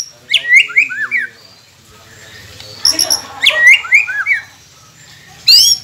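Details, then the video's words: White-rumped shama song used as a training recording to prompt quiet captive birds to sing: loud phrases of rising whistles and sweeping slurred notes, bursts separated by short pauses, a low hum underneath. "Murai Pendiam Cepet Buka Suara dengan masteran ini | shama bird"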